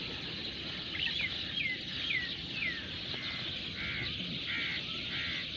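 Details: Small birds chirping in a natural setting: a series of short downward-sliding whistled notes followed by buzzier double notes, over steady broadband background hiss.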